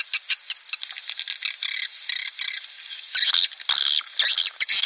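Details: Swiftlet sound used to draw colonies into a nest house: continuous high twittering chatter with brief sharp buzzy bursts and scattered chirps.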